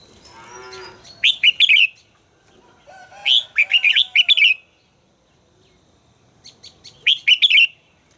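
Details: A red-whiskered bulbul in song training gives three lively phrases of rapid, chortling notes, each lasting about a second, preceded at the start by a lower, drawn-out harmonic call.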